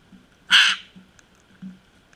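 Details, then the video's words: Sulphur-crested cockatoo giving one harsh, raspy screech lasting about a quarter second, broad and grating, against a quiet background with a faint steady hum and a softer short note afterwards. "SULPHUR CRESTED COCKATOO"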